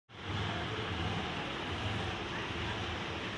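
Steady broadband rumble of wind or a passing vehicle fills the recording, with no animal calls audible.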